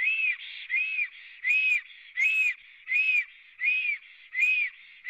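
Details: Three black storks on their nest in Latvia, filmed by a live nest camera at 11:55 on 24 April 2017; steady repeated whistles, each short and arched, roughly seven in five seconds, with faint hissy filler between notes.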